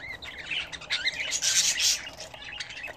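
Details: Brief stretch of indoor budgerigars at bath time: a few warbled, bending chirps, then a harsh rushing burst that sounds like splashing or fluttering wings, then softer chatter again.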